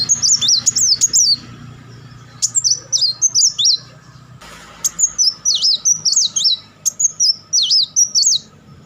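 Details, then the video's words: Sunbird, known locally as kolibri wulung, in its chattering song with rapid-fire bursts: high, sharply zigzagging notes in quick clusters of four to six, separated by short pauses, with faint low background hum. "crecetan dan tembakan beruntun Kolibri Wulung"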